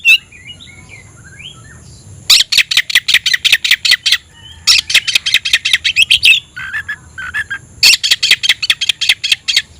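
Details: Oriental magpie-robin in full song with tail opened, meant to stir emotion and challenge a rival: loud rapid trains of harsh, rasping notes broken by short pauses and a few squeaky whistles.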